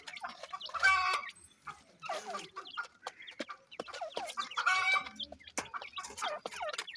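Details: Captive Deccan francolins with chicks give two strong, buzzy, ringing calls about four seconds apart. Quick high chirps and clucks fill the gaps.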